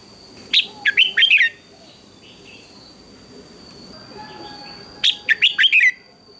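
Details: Red-whiskered bulbul giving its morning fighting song in a singing contest, used for voice training. Two short bursts of five or six loud, clear whistled notes slurring downward come about four seconds apart, with a thin steady high whine throughout.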